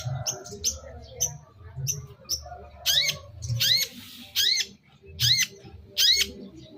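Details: Long-tailed shrike lure call: soft high chips at first, then loud, sharp, curved rasping notes at about one per second, a low hum beneath.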